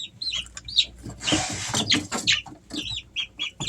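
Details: Three-week-old Easter Egger chicks in a home setting in summer: a burst of rustling and shuffling is followed by clear, high, slightly arched peeps repeated every fraction of a second.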